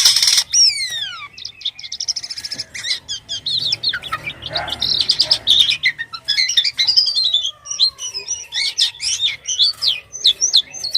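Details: White-vented myna in energetic song with an odd-sounding delivery: a rapid, varied run of high whistles, downward-slurred notes, buzzy rattles and chattering phrases, shifting constantly in pitch and texture.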